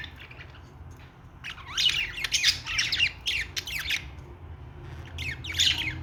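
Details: Singing budgerigar giving quick sweeping squeaks and rasping chirps in a fast uneven series, quiet at first, then busy chatter, with a low hum behind.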